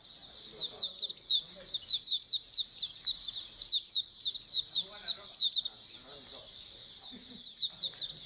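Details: Many Oriental white-eyes chattering as a colony to make other birds sing more readily: a steady stream of high, rapid, downslurred chirps and twitters, several overlapping voices, with faint low background murmur.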